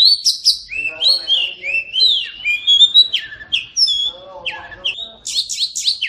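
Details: Oriental magpie-robin song meant to set silent birds singing: varied whistles and slurs mixed with lower buzzy, harmonic notes, closing with a few harsh high bursts.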